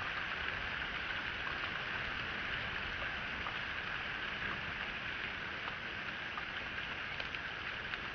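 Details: Steady rain patters on a surface, a constant hiss with faint scattered drips and no animal voices.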